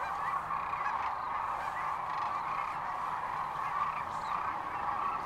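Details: Sandhill cranes (Antigone canadensis) at Rowe Sanctuary, Gibbon, Nebraska, near Kearney, on 13 March 2014: a dense flock chorus of many overlapping rolling, bugling calls merging into a steady, unbroken roar.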